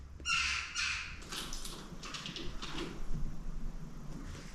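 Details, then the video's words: Jackdaw chicks in a nest inside an old church in Shropshire, England, give harsh, raspy begging squawks in quick overlapping bursts, loud at first and then fading, over a low echoing indoor rumble. "jackdaw chicks (nest)"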